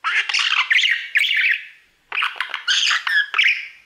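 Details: Male pet budgerigar warbling at his mirror: dense raspy chatter and sharp squawky notes in two bursts, separated by a brief silence near the middle, indoors with no background noise.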